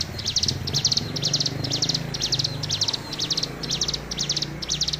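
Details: Tame Hill prinia in full, active song: a steady series of about ten high, buzzy chattering bursts, each a rapid stutter of notes, delivered about twice a second over a low background rumble.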